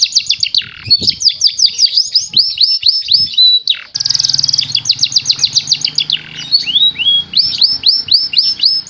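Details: Canary song for prompting lazy birds to sing: long bursts of fast, high trills with upward-swept whistled notes, briefly broken by a rougher, noisier rattle mid-phrase before the clear trills resume.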